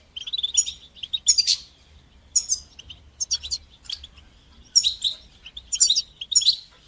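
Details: Goldfinch song of the batbata and sastasa kind for training young birds: a thin buzzy trill opens, then clipped groups of bright twittering notes with pauses between them.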